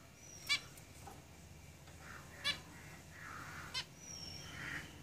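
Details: Zebra finches kept in a cage, giving three spaced nasal call notes, with soft buzzy chatter and a faint high whistle in the background.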